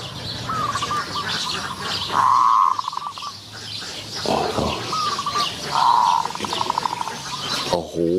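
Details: Zebra dove aggressively jumping at a decoy trap while being lured, Wapi Pathum, Maha Sarakham, Thailand: two phrases, each a short whistled note, then a burry coo running into quick staccato beats. Knocks and insect hiss are heard around them.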